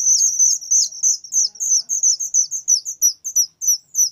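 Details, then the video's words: Whistling thrush chick calling very loudly: a rapid string of piercing high chips, some doubled or slurred, coming about three per second with slightly uneven spacing over a quiet background. "suara anakan burung ciung Batu sangat nyaring"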